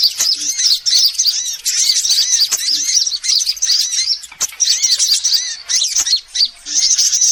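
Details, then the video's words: Several sunbird species mixed in a bird-attracting lure: nonstop high sibilant twittering and squeaky chirps, dotted with arched slurred notes, dipping briefly around four and a half and six seconds. "Suara pikat semua jenis burung kolibri"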